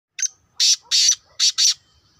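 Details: Two-year-old kept black francolin (kala tetar) giving one harsh, grating phrase: a short clipped note, then four loud rasping buzzy notes in quick pairs over about a second and a half, on a quiet background.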